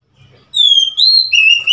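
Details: ['Oriental magpie-robin, 3 March 2021: a long, pure whistle that falls slightly, followed by two brief whistles, one higher and one lower, over quiet background.']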